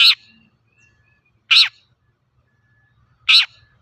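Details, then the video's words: Long-tailed shrike, a lively, actively calling bird used as a lure to prompt untrained shrikes to sing: three loud, harsh, rasping notes, each very short and spaced about one and a half seconds apart, against a quiet background. "Suara burung cendet gacor untuk pancingan cendet bahan"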